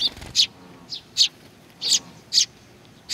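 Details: Hungry sparrows approaching for food at Tenmangu, Nakanoshima, on 21 June 2020, each giving short, harsh, high chirps roughly every half second, with a low knock at the outset.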